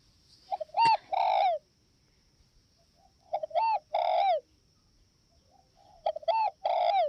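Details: Spotted dove of northwest Vietnam cooing: three phrases, each two quick rising notes and a drawn-out descending coo, repeated roughly every three seconds with near silence between.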